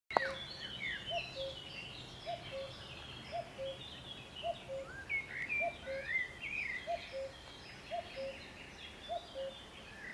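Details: A common cuckoo gives its low, falling two-note cu-coo about eight times, roughly once a second, over a busy chorus of higher-pitched songbirds at the Soča river mouth on 21 May 2022.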